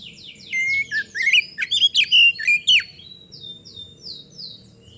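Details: Oriental magpie-robin singing briskly, used as a lure for other birds: a string of high whistles and squeaky, sliding notes for about three seconds, fading into softer repeated chirps in the background.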